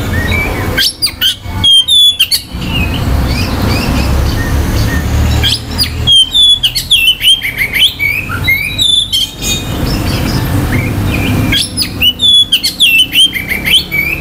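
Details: Oriental magpie-robin song meant to rouse rival males' aggression and breeding drive, given in three bursts of rich whistles, rising slurs and scratchy notes, with quiet stretches between them over a low background hum.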